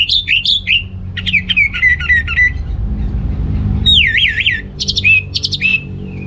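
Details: Orange-headed thrush, anis merah, singing gacor in North Bali as a lure for males with weak breeding drive: varied warbled phrases, buzzy stacked notes and a distinctive wavering whistle, with steady low background noise.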